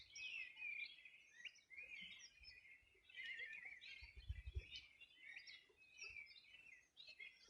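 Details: Summer morning chorus, 2020, on the banks of the Bueno River in the Los Ríos Region of Chile; several birds give sweet descending whistles and quick chattering phrases, with faint low rumble.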